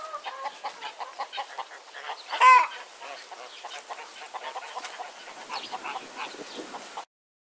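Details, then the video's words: Domestic chickens clucking: a steady run of short, rhythmic low clucks with one louder squawking note near two and a half seconds, then softer mixed chatter continuing until the sound cuts off around seven seconds. "Chicken Clucking"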